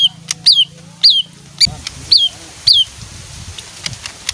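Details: Leafbird that reportedly sings on hearing music and likes to bathe; clear downslurred whistles repeated roughly every half second over a steady low hum, with a faint click here and there.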